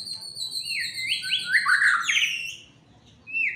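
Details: Caged fighter white-rumped shama, agitated and singing hard: clear whistles gliding up and down in linked stepped notes, a short pause, then one more rising whistle.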